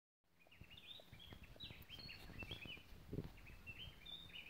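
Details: Gray-breasted wood wren with other birds in cloud forest at Tilaran Mountain ridge, Costa Rica: bright whistled phrases, rising and falling, strung almost continuously over low rumbling background noise and a few sharp clicks.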